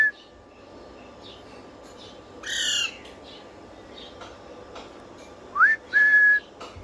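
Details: Pet parrot with a harsh squawk near the middle, then a short upward-sliding whistle and a held, level whistle near the end, with scattered faint clicks and chirps between.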